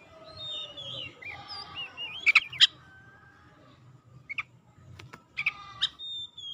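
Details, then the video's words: Oriental magpie-robin singing as a lure to stir silent birds into song: soft wavering whistles, then sharp clicking chips and short whistled notes, with a steady low rumble beneath. "PANCINGAN KACER LELET BISU | PASTI AKAN IKUT GACOR NGEPLONG GACOR"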